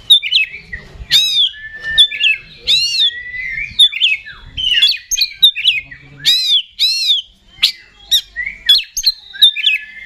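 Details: Oriental magpie-robin, a kept songbird of the sort shown at singing contests, pouring out a fast varied song of whistles, sharp chips and downslurred notes with barely a pause.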